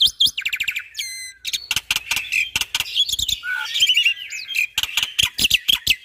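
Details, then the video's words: Black-winged myna (jalak putih) in busy tutoring song full of 'tembakan' shots: rattling bursts, a short harsh trill, many clipped percussive notes, and scratchy whistles mixed throughout. "Jalak Putih Super Gacor Full Isian Tembakan Bikin Jalak Lain Panik - Masteran Burung Jalak"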